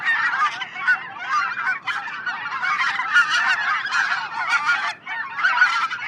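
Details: A large flock of greater white-fronted geese (specklebellies) calls in a dense, never-pausing chorus of high, yelping, squealing, multi-note calls.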